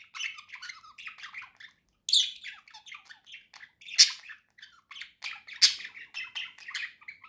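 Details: Two pet budgerigars singing cheerfully indoors: a busy chattering warble of scratchy chirps, clicks and squeaky notes in short bursts, with brief pauses and a few louder harsh squawks.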